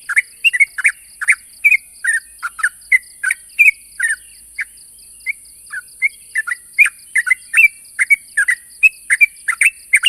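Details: Sooty-headed bulbul calling to provoke a rival: continuous lively sequence of short chirps and slurred notes, evenly spread across ten seconds, with a steady high hiss behind.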